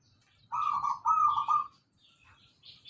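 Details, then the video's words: Local zebra dove song used as a lure for training cage birds: two bursts of rapid, rolling cooing notes, each about half a second long, followed by near silence with faint higher chirps. "pancingan perkutut lokal gacor,sekali bunyi langsung moncer"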